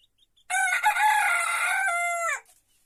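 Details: Henhouse recording of a little rooster crowing once: a raspy start that steadies into an even, drawn-out note, finishing with a quick downward bend after about two seconds, surrounded by silence.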